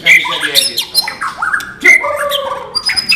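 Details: White-rumped shama song, non-bubbling style: a bright ringing note, scratchy chattering fragments and sliding whistles in short rapid bursts.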